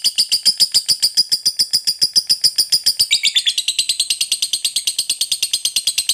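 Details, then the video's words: Long ngekek trill from a fighter lovebird, used to rile up rivals: fast, sharp chattering pulses that run continuously, dropping slightly in pitch and speeding up midway before carrying on unbroken. "SUARA BURUNG LOVEBIRD NGEKEK PANJANG, JITU BANGET PANCING EMOSI LAWAN"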